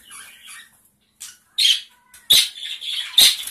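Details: Small colony of gray Java sparrows calling: short bright chipping notes in scattered bursts, some mixed with wing flutters, with brief quiet gaps between them.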